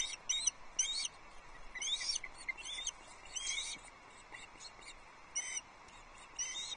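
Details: Osprey family at a nest at Loch Arkaig on 3 July 2022, as a flapping fish is delivered at breakfast time. Sharp, high chirping calls come in quick bursts, then a final pair of calls, over a steady hiss.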